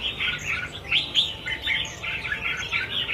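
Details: Many released Red-whiskered Bulbuls, about a thousand set free at once, give a continuous tangle of sharp chirps and quick warbling phrases without pause.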